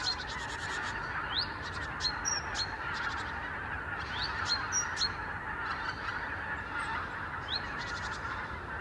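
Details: Masses of arctic wild geese move at morning from roost to pastures along the Lower Rhine. Dense honking forms a steady background while bursts of quick, rapid notes and rising yelps repeat irregularly.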